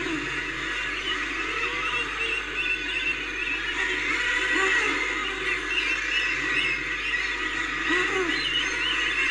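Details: Common murre growls: rough, low arching calls come in uneven bursts, layered over a continuous noisy din of many birds and high-pitched hiss.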